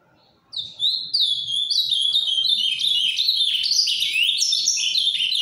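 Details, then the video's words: Captive azulão (ultramarine grosbeak), farrapo type, breaking into a quiet Paraná-style song after a short pause: a few separate whistles, then a steady rush of rapid, overlapping sweeping notes. "AZULÃO CANTANDO MUITO (AZULÃO FARRAPO)"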